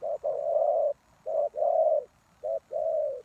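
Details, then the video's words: Spotted dove kept as a lure for trapping wild doves, cooing in quick succession: three low phrases of one short note and one long, smooth coo, almost running together. "Suara Tekukur Pikat"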